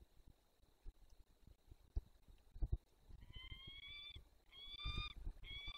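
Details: Peregrine falcons at Borek in the Barycz Valley, Poland, around 2 pm on 13 March 2022, during the egg-laying period: drawn-out, slightly rising wailing calls in three bursts, with ringing harmonics, over wind rumble and knocking.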